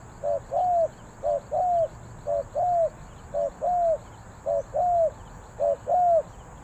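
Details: Spotted dove cooing in the 3 kuk hoi style, Ninh Thuận, Vietnam. Soft, hollow double coos repeat about once a second: a brief low note, then a longer one that rises and falls. Distant small birds twitter faintly behind.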